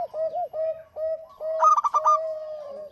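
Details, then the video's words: Local zebra dove singing as a lure bird: a string of short, even, slurred coos leads into one quick rattling burst of clipped notes, then a long level coo trails off. "Suara Burung PERKUTUT LOKAL GACOR"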